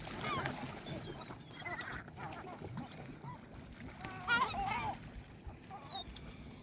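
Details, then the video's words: Several gulls by the sea give scattered, overlapping nasal yelping calls, with one louder squawk near the end, over a steady rush of sea and surf. "Sounds of Seagulls Seagulls and Sea"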